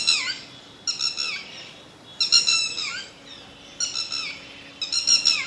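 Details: Bird producing rasping, harmonic squawks in bursts roughly a second apart, each sliding downward in pitch, with a low, soft background hum.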